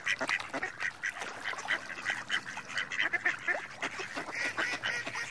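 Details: Mallards quacking steadily, many short nasal calls packed closely together in an unbroken, lively babble that stays loud across the whole stretch.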